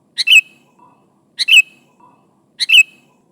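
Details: Sooty-headed bulbul calling its companions with a steady, regular pattern: a quick pip followed by a slurred liquid note, the pair repeated three times at about one-second intervals.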